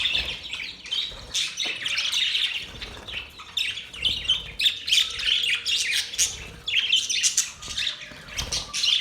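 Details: Budgerigars chirping happily, a dense continuous chatter of rapid warbled chirps and squeaky notes, busy and overlapping throughout with short loud bursts.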